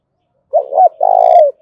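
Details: One low spotted dove phrase from a lure to stimulate calling, 'thổ đồng' voice: two short rising-falling notes followed by a long, even coo that tapers off.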